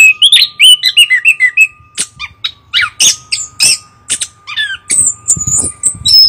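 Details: Chestnut-capped thrush pouring out quick warbled notes that drop into a run of rapid chirps, then a loud harsh rasping phrase and high thin whistles, above a low hum.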